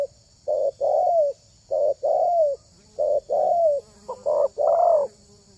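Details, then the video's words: Spotted dove, its voice called exceptional by people who lure wild doves, cooing in regular short-then-long phrases roughly every second and a half, the final phrase broken into quicker notes, with a faint high hum behind. "SUARA TERKUKUR INI SANGAT ISTIMEWA"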